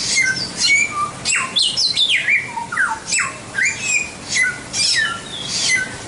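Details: White-rumped shama tutor song with dense, high-pitched phrasing. Buzzy upper notes, swooping whistles and quick falling slurs follow one another rapidly, loud and clean throughout.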